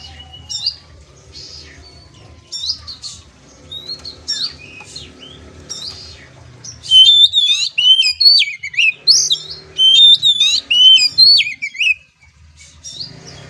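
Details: Song of an Oriental magpie-robin, used for training a young bird: sparse high chirps and whistles over low background rumble, then a loud run of rapid varied whistled phrases and sweeping notes before fading back to scattered chirps.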